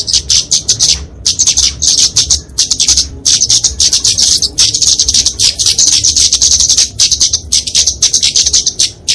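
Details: Flowerpecker, called kemade or burung cabai, genus Dicaeum, giving a fighting song used to train and lure small songbirds; rapid high, thin, ticking notes in dense bursts with brief pauses, loud and continuous.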